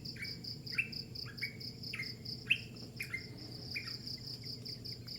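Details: About eight whistled chirps from a bird in the early morning, each rising quickly then trailing off level, spaced under a second apart, with crickets trilling continuously.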